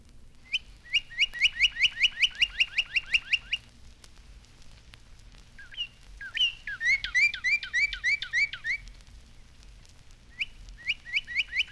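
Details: Northern Cardinal recorded by Cornell's Laboratory of Ornithology for a 1954 songbird album. Its song opens like a person whistling for a dog: fast runs of bright, rising whistled notes, about a dozen in a row. A looping, slurred phrase follows, then another quick series.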